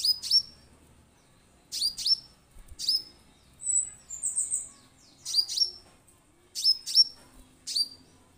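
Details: Orange-headed thrush sounds used as a lure to make kept birds start singing at once: sharp, very high notes that sweep steeply down, grouped in twos and threes about every 1.5 seconds, with a brief thin buzzy trill in the middle.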